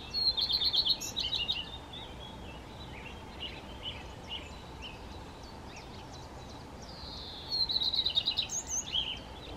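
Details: Common redstart song phrases: a high slurred opening note followed by a rapid series of repeated bright notes, heard at the start and again near the end, with faint twittering between over a steady outdoor hiss.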